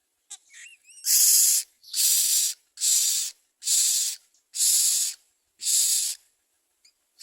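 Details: Common myna bringing food to its young: a few brief high chirps, then six steady hissing rasps spaced evenly, about one every 0.8 seconds.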